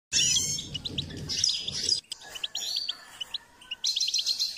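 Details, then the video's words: Goldfinch singing during a session on training and stimulating its song: rapid, liquid twittering with buzzy high notes and short chirps, a brief pause near two seconds, then tinkling trills resume. A low rumbling hum underlies the opening. "Step by step enhancing the goldfinch’s singing"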